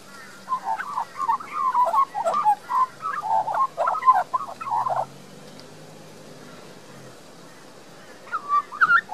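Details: A young resident Australian magpie (Gymnorhina tibicen) in a garden in Queensland, Australia sings a rich, gargling warble of mid-pitched fluty notes for about four seconds, pauses, then starts up again briefly.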